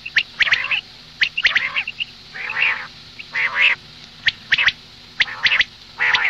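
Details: Common quail hen giving rasping calls for morning use: short, sharp clicks and broad, buzzy squawks about half a second long, in uneven clusters, with brief quiet gaps.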